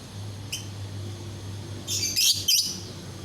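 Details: Captive lovebird chirping to prompt other lovebirds to sing along: a single sharp high chirp, then a cluster of harsh, buzzy, very high chirps about one and a half seconds later, over a steady low hum.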